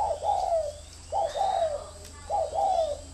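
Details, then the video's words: Decoy spotted dove cooing in three short phrases, each a quick upslurred note followed by a longer falling coo, over a faint steady background hum. "Thổ mổ còi - Còi coi thường Thổ"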